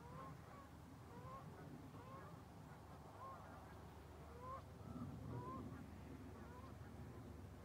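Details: Flock of geese heading south over Lake Ponderay, mountains around: soft overlapping honks repeated irregularly, several birds calling at a distance above steady low wind-like rumble.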